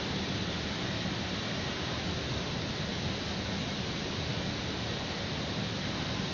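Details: Steady broadband hiss and rumble, like traffic or wind, runs throughout with no animal calls.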